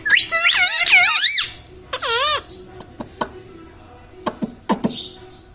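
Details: Indoor pet parrot that says "mummy papa" and "radhe radhe"; a long, bright, warbling run of speech-like syllables, then a shorter wavy phrase, followed by scattered clicks and taps.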